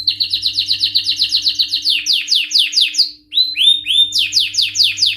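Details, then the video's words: Excited male canary song of rapid repeated downward-sweeping whistled notes, about four per second, a brief pause, then clear rising-and-falling slurred notes and more quick descending phrases; faint low hum in the background. "تغريد روعة سيجعل ذكر الكناري في قمة الهيجان⚡لن يصمت طائرك عن الغناء بعد اليوم🔥Canary singing"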